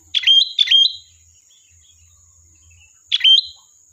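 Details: Sooty-headed bulbul singing in lively gacor style, offered as a lure to draw a reply: two quick bubbly, warbling phrases in close succession, a pause, then a third similar phrase, over a steady faint high-pitched whine.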